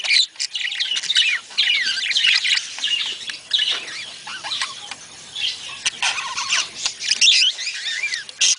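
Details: Budgerigar group whose calls are meant to stimulate breeding: rapid twittering and squeaky warbles with rising and falling chirps, some louder squawks, and a rustling texture underneath.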